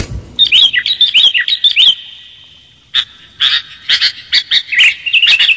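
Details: Sooty-headed bulbul (kutilang) lure recording with a clear voice: bright chirping notes in quick bursts, a cluster of twisting chirps, then a pause before a second run of sharp repeated chirps.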